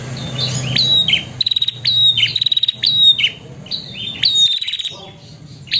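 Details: Female prinia calling to a male: loud high chirps with clear whistled tails, interspersed with fast rattling bursts of clicks, in a lively irregular sequence; faint low hum beneath.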